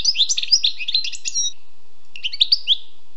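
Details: Wild European goldfinch producing a brisk burst of jumbled liquid twitters and buzzy notes, then a short pause and a few scattered bright chirps.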